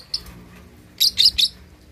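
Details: A young lovebird, 2.5 months old, learning to chatter utters one faint chirp followed by a burst of three loud, harsh, high chirps.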